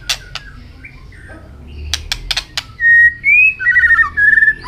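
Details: White-rumped shama singing in contest while flicking its tail, with many voices: scattered sharp clicks in the first half, then loud clear whistled notes, some level and some rising, in quick succession.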